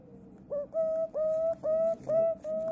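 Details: Flightless White-bellied Green Pigeon in care with a bird rescuer in Yokohama, judged male from reddish wing colour, singing indoors: a run of five level, fluty whistled notes, each with a quick upward slur, evenly spaced about every half second.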